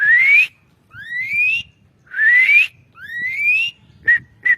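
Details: Asian pied starling song for training songbirds: four long upward-sliding whistles in pairs about a second apart, closing with two short sharp notes.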